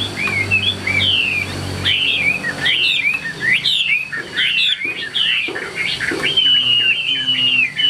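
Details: Chinese hwamei in a cage delivering 'ngũ trường' song, a bird for tail-fanning fights: fast, varied, looping whistles and rising-falling slurs in a continuous rich stream, with a low hum underneath.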